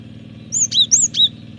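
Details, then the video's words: Cinereous tit in vigorous song, used to lure and train birds: a brisk phrase of four loud, high, slurred whistles in quick succession over a low background drone. "Pancingan suara burung gelatik batu gacor ampuh masteran suara burung gelatik batu gacor"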